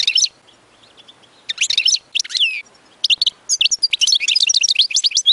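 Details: European goldfinch singing to teach chicks, short bursts of liquid twittering and chattering notes broken by pauses, then a long, dense run of rapid tinkling phrases.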